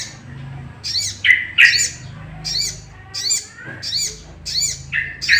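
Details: Sooty-headed bulbul call used to provoke other bulbuls into singing: high arched chirps alternating with lower, rough notes, in a steady rhythm of about one per second.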